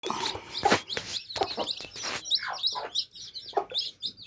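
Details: Baby chicks drinking water, a flock of day-old birds peeping constantly in high chirps, with clicking and tapping sounds of beaks at the drinker in the first two seconds.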